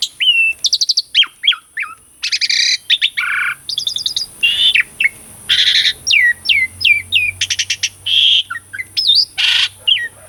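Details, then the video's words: Lively song of an Asian pied starling, a lure for birds stuck silent: dense stream of short whistled notes, harsh buzzes and hooked chirps, repeated in quick bursts over ten seconds, with a faint low rumble. "KICAUAN JALAK SUREN GACORAN - PANCINGAN JALAK UREN MACET PALING JITU..!!"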